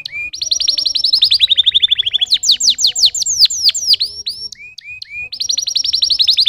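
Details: Canary singing rolling trills that step down in pitch, then a run of sharp descending chirps, short whistles, and a return to a fast trill.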